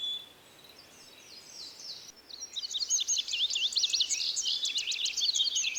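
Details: Faint high notes give way halfway through to a loud, fast twittering bird song of rapid up-and-down chirps, heard over a steady soft background hiss.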